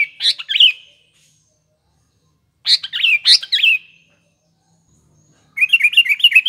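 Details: Sooty-headed bulbul singing vigorously, a recording meant as a lure for morning, afternoon and night: two loud bubbly phrases of quick warbled notes about a second apart, then a fast run of short chirps; quiet background.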